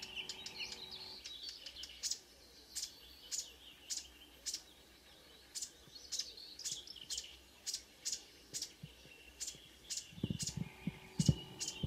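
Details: Marsh warbler at 5 a.m. on a June morning near Ski, Norway: sharp high notes repeated about every half second with varied twittering between, ending with low rumbling handling noise.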